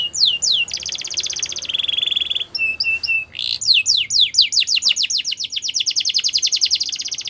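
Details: Song of a Border canary meant to train young canaries: buzzy sustained rolls and lower trills, then a long accelerating run of sharp descending whistled notes.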